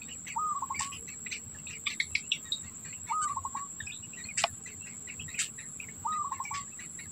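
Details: Black bittern with food in its mouth for its young. Three separate stuttering calls, about three seconds apart, each a rising note followed by a rattle of short pulses. Loud chirping birds, a few sharp clicks and a steady insect whine fill the background.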